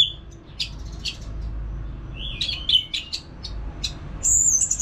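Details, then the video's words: Orange-headed thrush kept in a cage in North Bali, used to coax other birds to sing: scattered short chirps and a slurred whistle, ending in a sustained very high thin note, over a low background hum. "ANIS MERAH GACOR TIADA HENTI TANPA NGETEM"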